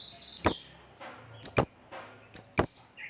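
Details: Lovebird, a lure recording meant to set other lovebirds singing, giving sharp shrill chirps, mostly in close pairs, about once per second, with soft chatter between them.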